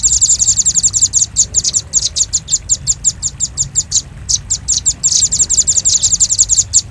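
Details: Velvet-fronted nuthatch lure sound: continuous fast, sharp, high-pitched chips with occasional brief breaks and trilled flurries, over soft low background rumble.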